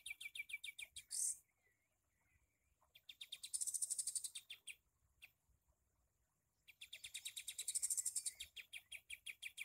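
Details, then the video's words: Long shooting-style phrases from a torn-beaked Sooty-headed bulbul used to tutor songbirds: three bursts of quick, piercing, high chips, each swelling to a dense crescendo and separated by short pauses. "KAPAS TEMBAK PARUH SOBEK"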